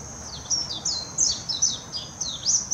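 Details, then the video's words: Singing warbling white-eye, Hashimoto, Wakayama, Japan, 26 June 2021, Nikon Coolpix P900: spaced bursts of sharp, very high notes that swoop downward, repeated about every half second over a faint steady high hiss. "メジロ さえずり 姿 鳴き声 warbling white-eye song"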